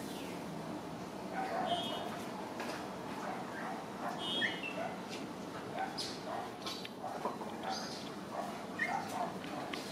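White-bellied chachalacas give harsh, raucous calls, repeated and overlapping in a noisy chorus, over a steady hiss of background noise.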